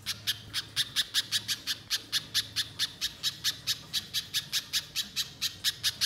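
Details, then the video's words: Banana spiderhunter giving a steady, regular series of hard, buzzy chip notes, roughly three a second, sustained throughout; meant to prompt a bird to sing long and energetically. "Pancingan Pijantung Pisang Agar Bunyi Gacor Konslet Mbeset Panjang"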